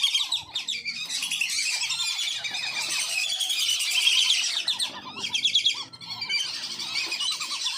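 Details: A flock of captive wandering whistling ducks from a farm, used as a lure for wild ducks: an almost continuous wash of high squeaky whistles and chatter, with steady repeated lower piping notes and brief breaks around five and six seconds.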